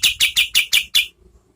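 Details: Oriental white-eye tutor song for competition birds, medium speed: six loud, high buzzy notes in quick even succession, then silence.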